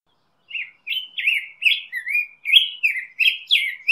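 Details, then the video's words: Black-headed grosbeak singing: a rapid, continuous run of rich warbled phrases, each sliding and slurring around a mid-high pitch, about nine in under four seconds, with a clean, quiet background. "Black-headed Grosbeak Singing - Picogrueso Pechicafé Cantando"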